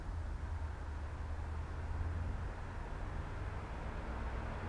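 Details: Continuous low outdoor rumble and hiss, like distant traffic; no bird calls.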